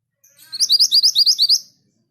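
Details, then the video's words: Orange minivet, locally sepah hutan or mantenan gunung, in full song: a fast, even string of about ten high, upslurred whistled notes delivered in just over a second, clean and without other sounds. "Burung sepah hutan gacor / mantenan gunung gacor (orange minivet)"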